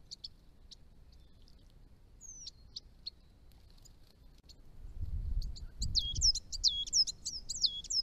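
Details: Chestnut-rumped thornbill at ponds in northern Victoria, Australia, at the edge of its range: high, thin chips at first, then a rapid run of sharp, looping high notes in the final three seconds, with low rumbling background noise.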